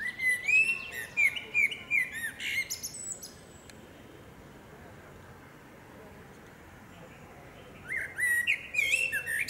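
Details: Song of a female common blackbird in forest: mellow warbled whistles with squeaky high twitters for several seconds, then a long quiet pause, then a fresh burst of fluting phrases and high chatter.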